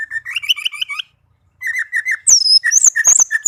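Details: Pet orange-headed thrush singing a varied song: a rhythmic string of repeated whistled notes, a short pause, then more repeated notes followed by high, sweeping whistles and scratchy chips.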